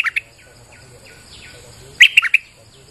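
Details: Bulbul in rainy weather, a lure recording: two brief chirps at the start, faint distant whistles, then a short cluster of bright, rapid notes.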